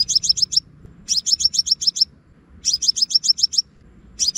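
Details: Scarlet-backed flowerpecker calls played from a loudspeaker as a lure for bird trapping, Vietnam: bursts of five to seven sharp, very high ticking notes in quick succession, repeated about every one and a half seconds over faint low hum.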